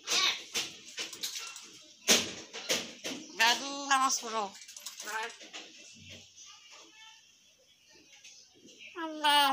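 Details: Talented talking hill myna imitating human speech, reportedly calling people to prayer (namaz); dense chatter of clicks and voiced speech-like syllables, loud at the start and end with a quieter stretch in the middle.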